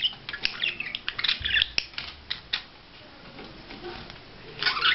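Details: Budgerigar in courtship display, giving scattered chirps and rough chattering notes, quieter in the middle, then a louder burst of squeaky warbling at the end.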